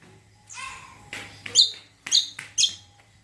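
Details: Song of a greater green leafbird (cucak kombo), played to provoke other birds into singing: a smeared rising note and a buzzy sound, then three loud, sharp chirps in quick sequence.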